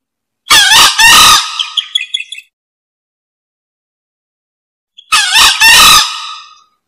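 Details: Green junglefowl crowing twice for a lure recording: harsh, hoarse two-part calls about five seconds apart, the first trailing into a few rough squawky notes.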